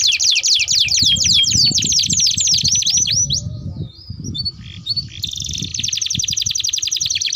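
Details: Domestic canary in full rolling song, used to lure and tutor young canaries: rapid sweeping notes around three per second, then a quieter twittering passage and a sustained fast buzzy roll, with faint low background noise.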